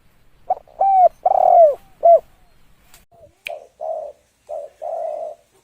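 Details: Spotted dove call used as a lure: a phrase of low hollow coos, a short note, a long drawn slurred coo and a clipped final note, then a second softer run of rounded coos.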